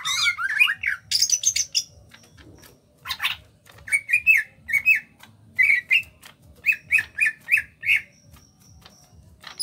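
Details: Greater green leafbird of Kalimantan origin, small in body, delivers lively ngentrok song. Sharp high flourishes open, then short clipped whistled phrases repeat about every second with brief pauses between them.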